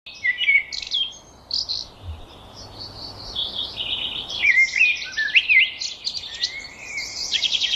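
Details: Birdsong with several high chirps and short whistled phrases, some rising and falling, in quick irregular bursts; more than one bird may be singing over a faint steady background hiss.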